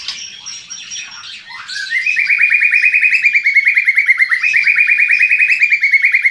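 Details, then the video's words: White-rumped shama singing: a thin, high, level whistle and soft twittering, then a sliding note that leads into a fast, even, buzzy trill repeated to the end. "Murai Batu gacor"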